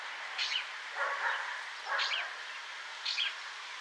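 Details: Lesser grey shrike calling: four short, harsh, chattering bursts in under four seconds, mixing high rasping notes with lower scratchy ones, set against a steady background hiss.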